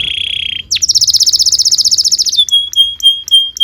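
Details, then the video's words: Young canaries' training recording of canary song: a pure steady whistle, a quick upward sweep into a fast pulsing rattle, then evenly spaced clear whistled notes. "PANCINGAN KENARI GACOR DURASI PANJANG UNTUK MASTERAN KENARI PAUD BELAJAR BUNYI DAN GACOR"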